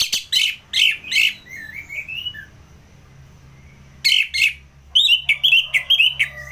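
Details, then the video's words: A captive orange-headed thrush sings in the "ngeplong" style, used as tutor and lure song for competition birds: loud bursts of rich, scratchy notes and slurred whistles in quick phrases, broken by short pauses, over a faint low hum. "ANIS MERAH Ngeplong"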